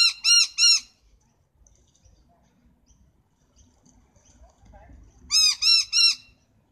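A noisy miner gives two bursts of three loud, harsh, ringing notes, each rising then falling, with a quiet low rumble between them.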